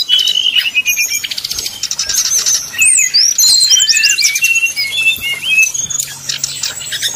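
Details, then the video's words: Rival-provoking 'nyuling' song of a brown-chested jungle flycatcher: rapid buzzy trills at first, then looping whistled slurs and twisting high notes, continuous and energetic. "srdc nyuling bikin lawan jadi panas penuh emosi pancingan srdc tercepat bikin srdc cepat ngeplong"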